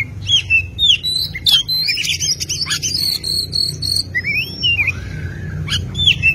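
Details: Oriental magpie-robin tutoring song, rich and varied: looping whistled slurs, rising and falling notes, short chattering bursts and a steady high whistle phrase over a constant low hum.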